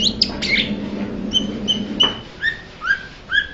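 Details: Blue-winged leafbird uttering a few sharp chirps, then a sequence of clear, short whistled notes, some flat and some gently falling, spaced about half a second apart, with a soft low hum early on.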